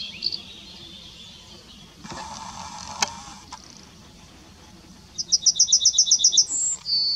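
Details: Yellowhammer singing at Kotthausen, Wuppertal Beyenburg, Germany, on 23 July 2021; a high, fast run of about ten repeated notes ends in a drawn-out final note, with earlier faint notes and a brief rustling noise.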